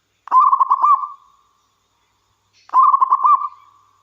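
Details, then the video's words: Local wild zebra dove singing keenly as a lure for other doves: two bubbling, quickly trilled coo phrases about two and a half seconds apart, each fading into a long soft hum. "Suara Burung Perkutut Lokal Gacor"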